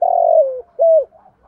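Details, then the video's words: Tail of a spotted dove coo phrase, from male and female birds used for training stimulation: a long vibrating note gliding downward, then one arched hoot and faint murmurs. "tiếng chim cu gáy giọng thổ thúc gù bài bản, gáy giọng to rõ giọng hạp"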